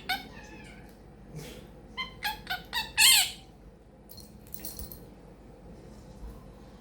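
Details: Small pet quaker parrot chattering in a room: a run of short harmonic, voice-like syllables quickening into a loud bright squawk, then faint high chirps over quiet background hum.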